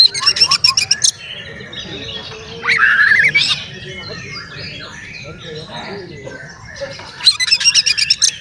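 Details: Oriental magpie-robin male giving loud song used to make other magpie-robins angry and fan their tails; rapid rattles at start and end frame a clear whistled phrase and softer chatter, over a faint hum.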